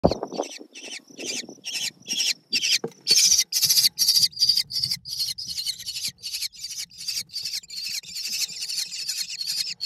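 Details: Eager American kestrel nestlings in a nest box in south-central driftless Wisconsin, seemingly expecting a parent, give harsh, high, hissing screeches, about two each second in a steady insistent chorus, with a few softer lower notes at the start.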